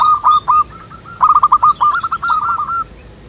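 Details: Wild local zebra doves in a lively chorus, meant to draw other doves into singing: bursts of fast rolling coos, short notes run together in a chattering trill, fading out near the end.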